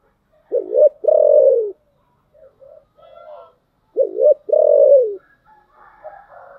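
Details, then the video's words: Spotted dove singing 'giọng thổ': two matching phrases about three seconds apart, each a broken, wavering coo then a long hoarse coo dropping in pitch, with quieter bird chirps between and after. "cu gáy giọng thổ"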